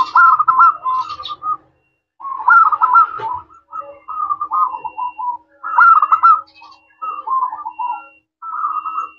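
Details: Local zebra dove singing a clear 'crystal' song meant as a lure to make other doves answer: near-continuous rolling, pulsed coos in overlapping phrases, several voices apparently trading calls.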